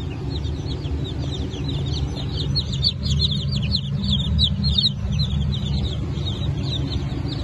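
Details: Newly hatched chickens of Brahma, Phoenix, Sultan and Appenzeller breeds, hatch of 9 May 2024: a crowd of chicks peeping constantly with high, short downslurred cheeps over a steady low machine hum.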